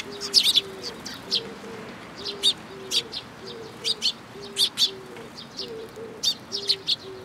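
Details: Group of sparrows coming to a feeding place on a bridge handrail at a shrine, 9 June 2022: brief bright chirps roughly every half second, with a persistent low rumble and regular short mid-pitched tones beneath.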